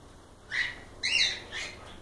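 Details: Two quick bright cockatiel chirps, the second louder and richer, followed by a fainter third note.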